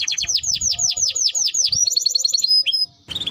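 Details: Timbrado canary song made of about a dozen loud downward-swooping notes repeated several per second, followed by a quicker lighter trill and a brief pause.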